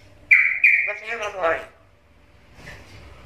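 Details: Black-capped lory, a lively talking bird, opens with two sharp whistled notes, then gives a speech-like harmonic phrase that trails off into quiet room noise.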